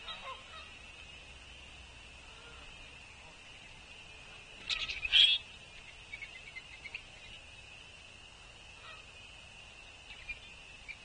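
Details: A Common grackle at a platform feeder, Cornell Lab FeederWatch Cam, 28 March 2024, where males give bill-up and song-spread displays, gives one short, harsh, creaky squeak over a steady high hiss, with faint ticks and clicks after.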